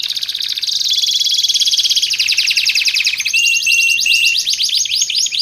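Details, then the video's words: Canary singing, meant for training caged birds and luring wild canaries: long rapid rattling trills shifting between pitches, with short steady whistled notes near the end, continuous and high. "Suara Kicauan Burung Kenari Menggila Untuk Masteran Dan Pikat"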